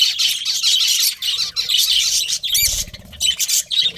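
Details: Budgies chirp busily with a dense run of high twitters, then sharper squawky notes and clipped chirps near the end, over faint low rustling.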